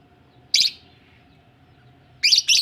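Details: Budgies ready to lay eggs give a single scratchy chirp, then a pause of over a second before two more quick raspy chirps close together.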